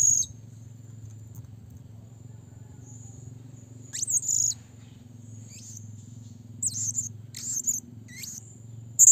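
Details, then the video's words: Blue-crowned hanging parrot calling to challenge a rival gives very high, thin, shrill squeaks in short bursts, over a steady high ringing tone and a low background hum. "burung serindit bunyi memanggil lawan"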